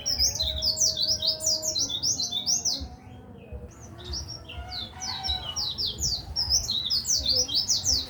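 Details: White-eye (pleci) song used as a tutor recording for training songbirds: rapid, high, thin chirping phrases of quick up-and-down notes tumbling in bursts, with a brief pause midway, over low background rumble.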